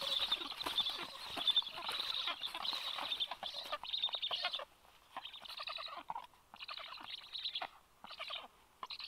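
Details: Black stork at the nest on 26 July at 9:40, as the male arrives shortly after the female and brings fish to the chicks: dense, rapid rasping chatter, fading and returning in short bursts through the second half.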